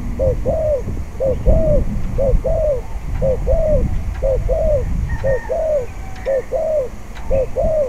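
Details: Spotted dove cooing on a windy day during decoy-cage luring: a long run of about a dozen paired phrases, a short note then a longer falling croo, repeated roughly every second over a heavy low wind rumble.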